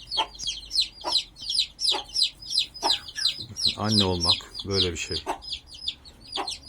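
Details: Turkey chicks with their broody mother hen in a coop, reunited with her: rapid high thin peeps, each sliding downward, repeated about three times a second, with a man talking briefly in the middle.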